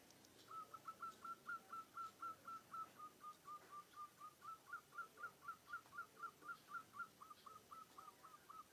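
A munia copying a zebra dove's cooing: a steady run of short, fluty, mid-pitched notes, about four per second, over faint background hiss.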